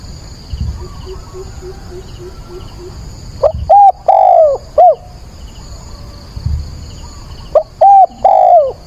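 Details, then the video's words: Decoy spotted dove calling at dawn on 22 October to lure and train wild doves. Two cooing phrases, each a short note, a level coo, a long drawn coo sagging downward and a final short curved note; faint insect chirping behind. "Cu mồi gáy gọi"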